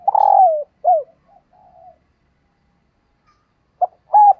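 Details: Female spotted dove calling to stimulate males ends a phrase with a buzzy drooping note and a falling coo, soft trailing notes follow, then after silence a fresh phrase begins with a clipped note and hooked coo.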